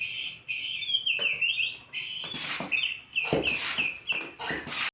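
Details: Oriental magpie-robin in full open song: sustained whistled phrases with sliding, warbling notes at mid-high pitch, broken by sharp scratchy bursts and clicks, delivered nearly continuously.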